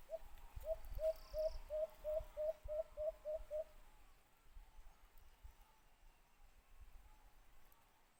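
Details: Alimokun, the white-eared brown dove, during cage-trap hunting gives a run of about ten short low coos in quick, steady succession, then falls silent as rustling and low thumps continue.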